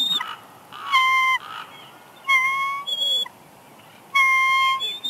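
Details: Bald eagle female whining on her nest at Big Bear Lake, California, March 6, 2021, while her mate delivers a headless fish and she moves to eat. Three drawn-out, piping whistled whines, each about half a second or longer, with brief softer notes between.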